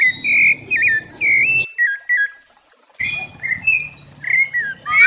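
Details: Sabiá thrush in warm-up (esquenta) singing, giving short clear whistled phrases with slurred turns, then a brief silence before more varied whistles resume.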